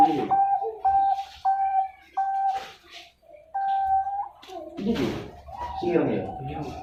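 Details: Captive zebra dove from a bird farm in Pasuruan, East Java, Indonesia, hatched 14 September 2021, singing in the Indonesian rhythm style: a run of clear, level cooing notes with brief gaps, then people talking over the last part.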